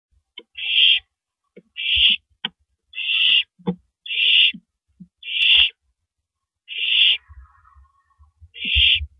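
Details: Owl on a live nest camera at 3:33 AM on April 9, 2012, shredding and finally swallowing a big rabbit; harsh broadband hissing screeches, each about half a second, repeat irregularly seven times amid soft thumps and rustles.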